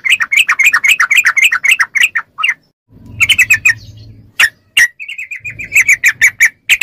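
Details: Yellow-vented bulbul with fast ropel song, a training recording for captive bulbuls. Continuous bubbly chattering, then a short burst over a low hum, two isolated sharp notes, and a final level chattering series.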